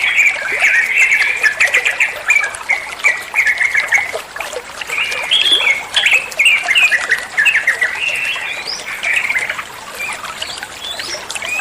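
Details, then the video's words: Sustained olive-winged bulbul song played so that other songbirds will respond: a busy flow of bright, slurred whistles and rapid chatter, some higher upswept notes later, over low steady hiss. "Masteran trucuan muantaaap, (burung trucuan anda pasti nyaut)"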